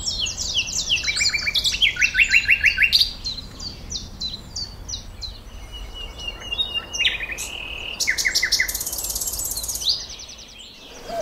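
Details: Common nightingale, in a bird concert with blackbird and cuckoo, sings a rich, varied song of rapid repeated notes, buzzy trills and sharp whistled phrases in quick bursts with brief pauses; other birds may be mixed in.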